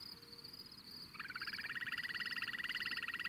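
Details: Upland sandpiper giving a rapid rolling trill of evenly pulsed notes that starts abruptly after a second and runs on steadily, over a continuous thin high whine and soft background rustle.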